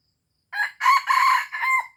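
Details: Red junglefowl from Aceh, recorded as a lure call: one clean crow of a short opening note, a loud harsh double middle section, then a falling drawn-out final note, with a quiet background.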